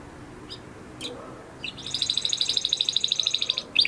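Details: Crested Spanish Timbrado canary, 2020-bred and caged in a flock, giving scattered faint chips before a clear, evenly pulsed high trill of about twenty beats as training song.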